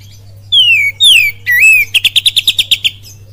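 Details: Singing oriental magpie-robin giving a lure song with kapas tembak and cililin imitations: two falling whistles and an up-down swoop, followed by about eleven rapid staccato notes in a tight series, low hum beneath.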